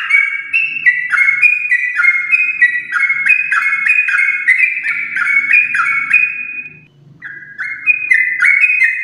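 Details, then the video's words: Yellow-vented bulbul of a champion lineage in long continuous song, played to prompt house-kept birds: a steady run of clear whistled notes stepping down then jumping back up, rapid and unbroken for several seconds, with a brief pause near the end. "Trucukan gacor ropel panjang TRAH JUARA untuk pancingan trucuk rumahan"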